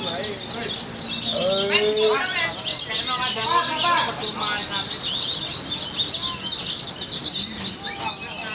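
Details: Contest white-eye (pleci) singing without pause at an event in Semarang, Indonesia: a non-stop high, scratchy twittering in 'nembak' style, over chattering spectators and brief rising whistled notes from other birds.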